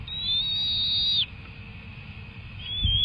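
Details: At a wild bald eagle nest during a feeding session, one long, thin, high whistle is held steady for over a second and then cut off, followed by a fainter short whistle at the end.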